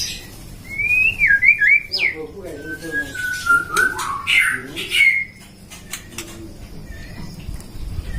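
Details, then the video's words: Captive-bred white-rumped shama from a hobbyist's breeding in Depok, Indonesia, kept as a competition songbird, delivering a vigorous phrase of ringing whistles that loop, dip and rise, followed by short sharp clicks and a quieter stretch with background hiss. "Burung Murai suara kicaunya gacor"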